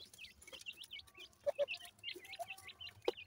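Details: Francolin chicks (dakhni teetar) from a new breeding pair give a rapid run of thin, high peeping chirps, several per second, broken by a few low, soft clucks.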